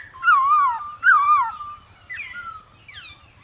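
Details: In the morning, a male White-cheeked laughingthrush calls to a wild-caught bird with forest-style song. Two loud wavering whistled phrases about a second apart are followed by two softer downslurred notes against a constant high-pitched hiss.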